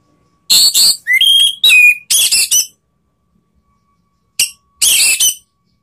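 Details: Rival-provoking song of an Orange-headed thrush from Indonesia: a scratchy burst, a rising then falling whistle, more harsh phrases, then a long silence before two final clipped bursts.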